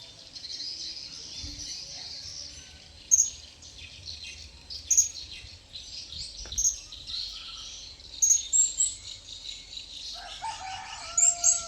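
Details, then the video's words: A wild blue-crowned hanging parrot comes closer, giving sharp, very high single chirps every couple of seconds against a constant hissing chorus of insects. "Burung Serindit Liar Mendekat"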